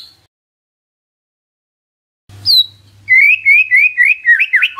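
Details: Lure song of a white-rumped shama intended to make a silent bird respond: after silence, one high descending whistle, then a fast string of looping, wavering whistled notes.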